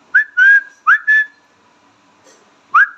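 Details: Talking Indian ringneck parrot kept as a pet, giving four quick whistled syllables in a cluster, each rising sharply then holding a steady pitch, followed by a pause and one more rising, held note. The background is quiet.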